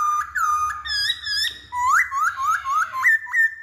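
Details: Masked laughingthrush song played to prompt other birds to sing: long, steady whistled tones followed by a series of sharply upslurred whistles repeated about every third of a second, ending in level whistles.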